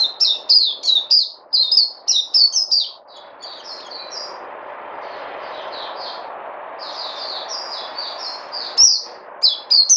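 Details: Pet songbird delivers rapid runs of high, sharp chirps and short slurred notes, pausing in the middle before resuming bright bursts, with a constant low background hum.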